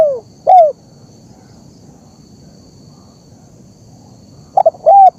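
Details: Spotted dove calling in a recording meant to train birds and entice wild ones to answer. Two short descending coos open, then after a pause a stuttering triple note leads into a drawn-out, falling coo. Faint insect drone continues.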